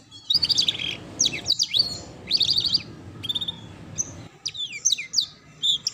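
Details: Training song for young canaries, ngeriwik style: repeated high, sweeping chirps and quick metallic trills in short bursts with brief gaps, over a steady low background hum.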